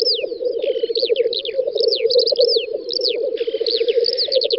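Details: Black grouse on a spring lek field in western Russia, 9-10 May 2019; constant pulsing bubbling with two harsh hissing bursts and repeated high falling whistled notes between them.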